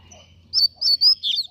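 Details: Double-collared seedeater singing fast, with four loud, high, slurred whistled notes delivered in quick succession after a moment of near silence.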